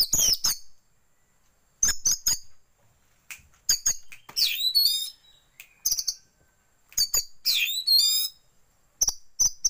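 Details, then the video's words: Oriental magpie-robin lure recording with white-rumped shama filler, meant to prompt tail-spreading: repeated short bursts of high sharp chips and sweeping whistles, some longer warbled phrases, with quiet gaps between. "pancingan kacer buka ekor"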